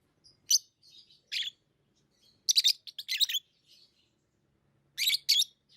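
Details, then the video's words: Lovebirds, tame pet birds, chirping in sharp, harsh bursts spread across high pitches, with short clusters of two or three notes separated by quiet gaps. "Love birds Sounds | lovebirds chirping sounds"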